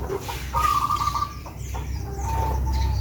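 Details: A captive local Javanese zebra dove (perkutut) from Blora, Central Java, gives soft, sustained cooing notes, a higher coo followed by a lower drawn-out one, over a steady low rumble.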